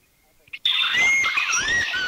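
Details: Abbott's Babbler, recorded in a Thai national park (Khao Yai, Doi Inthanon, Doi Suthep-Pui or Chae Son), gives loud, clear whistled notes sliding up and down in pitch, overlapping for about a second and a half after a brief quiet start.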